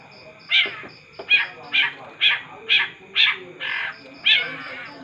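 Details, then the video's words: A long-tailed shrike in full, vigorous song gives harsh, raspy notes, about two every second, over a faint steady high whine and low background hum. "cendet gacor"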